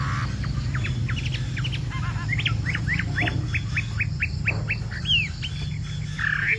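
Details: Chinese hwamei in bộ tam hoàng style delivers rapid, sharp upward-flicking whistled notes in a long, rattling sequence, with a strong low-pitched rumble underneath throughout.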